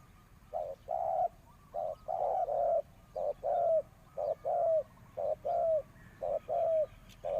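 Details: Decoy spotted dove calling to attract wild doves: a run of roughly eight paired coos, each a brief note followed by a longer one that often sags in pitch at the end, delivered briskly.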